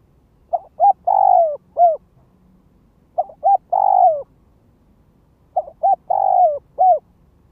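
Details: Ground decoy spotted dove calling and provoking wild doves: three identical phrases roughly every two and a half seconds, each with two brief coos, a long rolling descending coo and a short final note. The background is calm.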